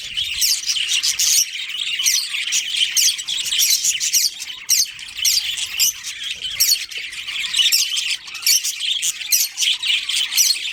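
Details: Budgerigar colony with a breeding pair: dense, continuous chirping and squawky chatter from many birds overlapping, bright and scratchy, with rapid irregular bursts throughout.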